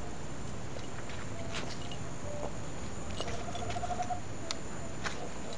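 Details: A Tropical Screech-Owl in Fortaleza, Ceará, north-east Brazil, gives a brief, low purring trill of quick even notes, faint over a steady background rumble and scattered soft clicks.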